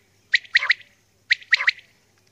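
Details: Female common quail calling early in the morning: two crisp three-note phrases, a sharp first note and then a quick pair, one second apart over a faint hum.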